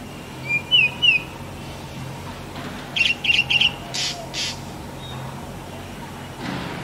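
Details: A Black Drongo (Dicrurus macrocercus) singing in its natural habitat gives sharp, metallic notes: two quick rising phrases, then a burst of four harsh repeated notes and a couple of grating squawks.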